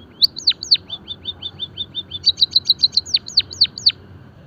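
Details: Java sparrow singing as pancingan to stimulate birds: two falling ringing notes, a steady run of soft high chips, then a fast clicking trill leading into several sharply dropping bell-like notes.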